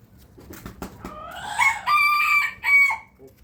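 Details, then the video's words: Morning rooster crow, preceded by soft clucking and shuffling, then a full drawn-out crow that rises, holds steady and ends in a brief loud final syllable. "Rooster crowing sound effect"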